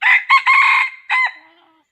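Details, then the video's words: Red junglefowl decoy for trapping, crowing loudly: a brief harsh note, a short one, a long drawn-out buzzy section, then a final clipped note fading away. "Bẫy gà rừng 2020 bổi 08 dib qaib qus tuaj zoo"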